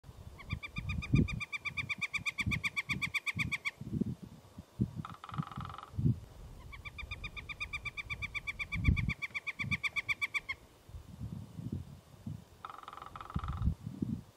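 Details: Northern flicker giving a love call: two long, rapid runs of loud, even 'kek-kek-kek' notes, each lasting about four seconds, with short buzzy bursts between and low gusty thumps throughout.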